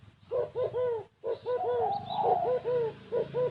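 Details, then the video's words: Low, rounded coos from a spotted dove in the gù kích bổi style, overlapped by a second, higher, drawn-out cooing voice, with faint rumbling noise beneath. "Tiếng chim cu gáy có giọng gáy gù kích bổi cực kì độc lạ"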